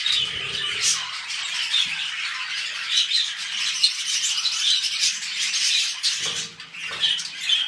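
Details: Pet budgerigars mating before a new clutch: steady scratchy twittering with squawky notes, fading briefly near the end before picking up again.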